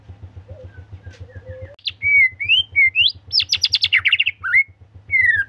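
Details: White-rumped shama in full, energetic gacor song: soft low whistles, then loud rising slurred whistles and a rapid burst of sharp chattering notes, with a constant low electrical hum beneath.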